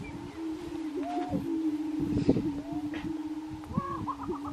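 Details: Colorado grouse on a lek in 2023: a continuous low hum overlaid by several short looping whistled notes, a burst of rustling, and a quick rising series of higher notes near the end.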